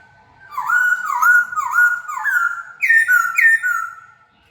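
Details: Laughingthrush kept as a decoy bird, let loose inside a house for the first time, gives a loud run of six slurred whistles, each sliding down then up, repeated about twice a second.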